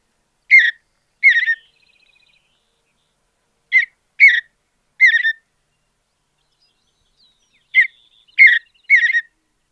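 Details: Mountain bluebird (Sialia currucoides) singing in natural habitat, brief husky warbled phrases repeated in pairs and triplets with pauses of a few seconds between groups, a faint thin trill after the first pair; clean, quiet background.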